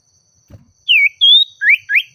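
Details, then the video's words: Oriental magpie-robin singing gacor (in full, lively song) to call a rival, agitated: four loud clear whistled phrases in under two seconds, one falling, one level and drawn out, two rising, after a soft low thump. "Suara Burung Sirtu/Cipoh Gacor Memanggil Lawan Bikin Emosi"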